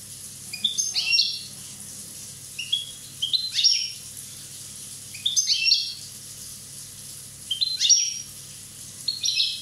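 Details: One-year-old Corsican European goldfinch singing: bursts of bright, tinkling twittered phrases, each about a second long, separated by short pauses, over a steady faint low hum.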